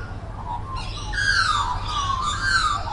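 A magpie gives fluty, warbling whistles that waver and slide downward over about two seconds, over a steady low rumble.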